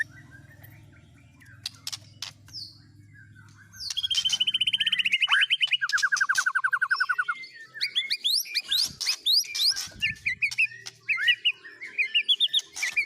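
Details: Song of a captive white-rumped shama mixing in other birds' sounds: after a quiet hum, rapid trills at two pitches, then a jumble of sharp chirps and rising whistles.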